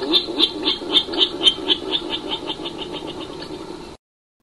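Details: A Virginia Rail, a secretive cattail-marsh bird, gives a rapid series of harsh, piglike oinking grunts, about four per second, fading over three and a half seconds.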